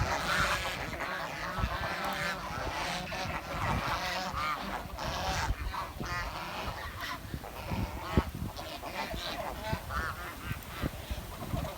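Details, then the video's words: Village swan heard at lower volume, a long stretch of overlapping nasal honks and squeaky notes, with scattered low knocks and bumps underneath. "The Chirping Sound of The Village Swan"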